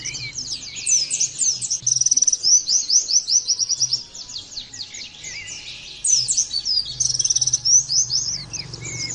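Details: Oriental white-eye song, used as a training track to get birds singing. High, rapid twittering of thin sweeping notes keeps running, with short whistled slurs near the start and a faint low hum underneath.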